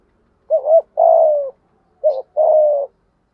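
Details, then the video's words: Lure spotted dove with a 'thổ' voice in 'thúc gù' cooing. Two phrases in quick succession, each a short doubled note followed by a longer low coo that drifts downward. "chim cu mồi thúc gù đủ bài"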